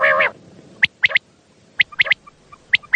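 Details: Common quail at night, a call used to attract quail for hunting. After an opening harsh rasp, crisp three-note phrases repeat about once a second.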